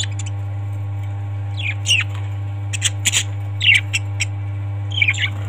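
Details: Parrot squawks and short raspy chirps in irregular clusters, separated by brief pauses, against a continuous low-pitched hum.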